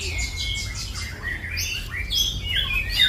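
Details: White-rumped shama singing a varied, fast run of high whistled and slurred notes, many sweeping up or down, delivered in rapid succession with little pause; steady low hum underneath.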